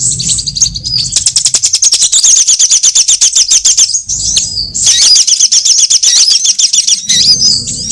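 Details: Sunbird calls played as a trapping lure: dense, high, buzzy twittering trills of rapidly repeated sharp notes, broken by one brief pause near the middle, with softer chirps at the start and end.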